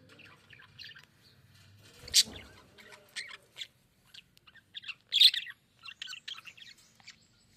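A budgerigar chirps and warbles in quick, scratchy bursts with a few louder sharp notes.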